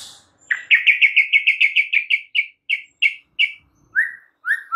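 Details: White-rumped shama song used to provoke other shamas: a rapid series of about a dozen clear, slurred whistled notes, then slower, lower upslurred whistles.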